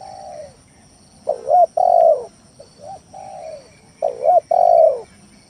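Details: Spotted dove lure song used to get rivals and silent doves calling; low cooing phrases with a wavering double coo and a long falling note, repeated twice, separated by quieter single coos.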